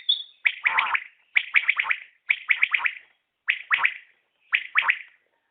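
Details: Batair, the common quail, repeating its crisp triple-note call five times in about five seconds, each burst of short, bright, high notes separated by a brief silence.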